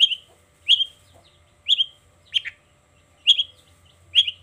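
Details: Long-tailed shrike in the morning, giving a repeated 'toet toet' phrase: short, sharp, downslurred double notes, six of them spaced about half a second to a second apart.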